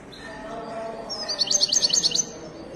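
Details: Caged Moroccan Widani goldfinch at a large bird market in Casablanca, Morocco, singing a quick burst of about ten high, bright twittering notes over a low murmur of background voices.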